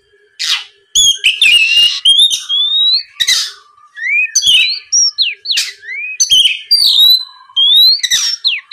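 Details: Oriental magpie-robin song used as a lure to provoke a rival into answering and singing: loud, varied phrases of clear rising and sliding whistles mixed with harsh buzzy bursts and sharp clicks, in quick bursts with short pauses.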